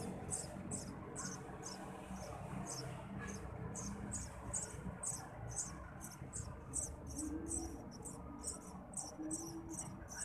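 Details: Begging nestlings of Eurasian tree sparrow as the parent feeds them; sharp, noisy high-pitched chirps repeated steadily, nearly twenty bursts in ten seconds, above a faint low rumble.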